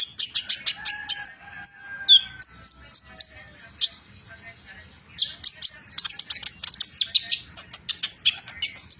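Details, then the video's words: Sunbird known locally as kolibri ninja, a metallic mutation, singing in the fierce trotol style: rapid bursts of very high, thin chirps and short sweeping whistles, densely repeated with brief pauses. "Kolibri ninja trotol Ganass,mutasi metalik"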